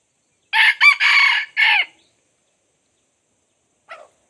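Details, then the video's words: Red junglefowl, decoy luring wild birds, gives a full crow: four harsh bursts lasting about a second and a half, the last sliding downward, then quiet and a faint distant answering note. "dib qaib qu tuaj zoo Kawg li ต่อไก่ป่าเข้าดีมาก"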